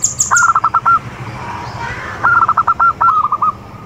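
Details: Zebra dove of a local strain in lively song, giving two bursts of quick, clipped coos that end in a longer held note, while a higher chirping bird calls briefly at the start.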